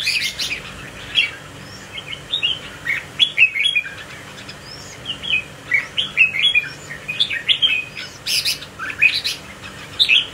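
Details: Red-whiskered bulbul with a spike crest, swaying in display. It sings bright, warbling, whistled phrases of quick rising and falling notes in bursts every second or so, over a steady low hum.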